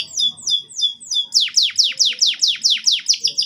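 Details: Canary song for prompting young canaries to sing: a run of descending whistled slurs followed by a long, fast series of loud downward-sweeping notes.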